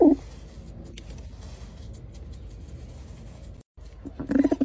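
A pigeon gives a low, throaty coo at the start and again at the end, with a soft hum in between.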